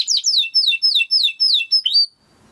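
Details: Timbrado canary song for training: a steady series of about eight descending whistled slurs, each falling from high to mid pitch, evenly spaced, ending with a held note and silence.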